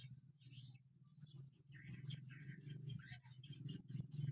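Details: Swiftlets in Kalimantan responding this season: a busy stream of thin, high chirps and twitters that grows denser after the first second, over a steady low hum.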